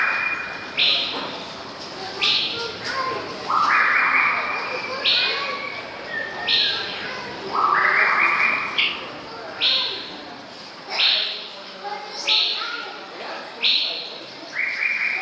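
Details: Male white-rumped shama (Copsychus malabaricus), 24 May 2014, near Rotterdam, Netherlands, gives clear, flat whistled notes that jump between high and low pitches, about one every second, over faint background hiss.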